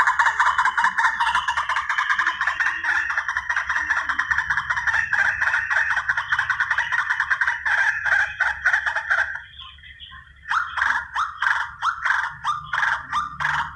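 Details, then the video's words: Long lure recording of white-breasted waterhen used for hunting: continuous harsh, grating croaks in quick succession, about two and a half per second, with a short pause near the end and then renewed rhythmic calling. "Suara pikat ruak ruak"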